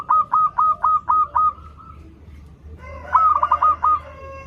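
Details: Local zebra dove song serving as a teaching lure for young singers: a fast series of seven evenly pulsed cooing notes trailing into a long tone, then a second stuttered phrase over a steady hum.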